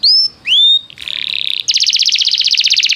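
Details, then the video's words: Canary song played to get a canary singing: two rising whistled notes, then a brief buzzy trill and a dense rapid rattling trill of high notes. "o som de atrair seu canário para cantar imediatamente - treinamento canário"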